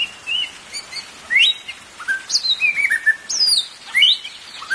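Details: White-rumped shama singing, meant to prompt caged birds to sing: sweeping upslurred whistles, falling slurs and a quick run of varied notes in mid-clip, set against steady background hiss.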